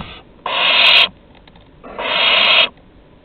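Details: At Théding, 23 August 2020, a grown barn owl gives its prey to a younger owl. Two loud, drawn-out hissing screeches under a second long, about a second apart, with a brief tail of another at the start.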